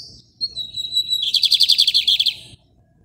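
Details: Singing lined seedeater in a cage carried by hand, Maranhão, Brazil, rajadinho style. A thin steady whistle leads into a loud, rapid string of about fifteen high chipping notes.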